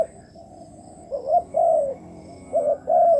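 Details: Decoy spotted dove calling to lure wild doves, two soft rising notes each followed by a longer level coo, after a second of near silence.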